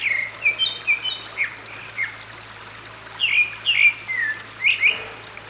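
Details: Grey-backed thrush singing by a valley stream near Sinwonsa Temple on Gyeryongsan Mountain, South Korea, in May 2022; short fluting whistles and slurred notes come in two rapid clusters, over a steady background of flowing water.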